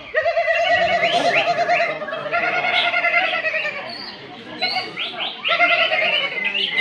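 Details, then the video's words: Greater green leafbird singing in the cucak ijo class of a songbird contest marking Independence Day in Malinau Utara, North Kalimantan, Indonesia, where it placed runner-up; rich, warbling phrases of harmonic whistles and rapid slurred notes, with crowd noise behind. "Ijo BONEK Sukses Raih Runner Up di Gantangan Walet BC."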